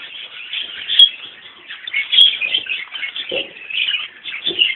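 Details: A mixed colony of Fischer's and rosy-faced lovebirds (Agapornis fischeri, A. roseicollis) at fresh water, where the dominant Fischer's drink first, in steady shrill chatter: many overlapping high, squeaky chirps, a few sharper shrieks and faint lower knocks.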